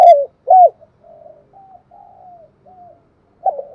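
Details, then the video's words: Spotted dove giving its morning luring call: two loud hooked coos at the start, then faint distant cooing notes and another coo rising at the end. "tiếng chim cu đất gáy gọi buổi sáng/ tiếng chim cu đất kêu mồi và gọi bổi"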